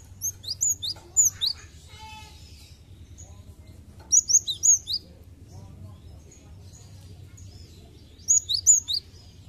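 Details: Cinereous tit song used as a lure to bring raw birds into song quickly: three separate bursts of fast, high, two-pitched whistled phrases, with a short buzzy rattle after the first burst and steady low hum throughout.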